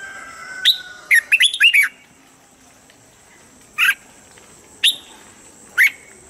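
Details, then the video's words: A red-whiskered bulbul in morning voice training gives a quick run of liquid, chirpy whistled notes, then three single bright notes about a second apart, over a faint steady high hiss. "Luyện giọng chào mào âm chuẩn mỗi sáng giúp chim nhanh căng lửa"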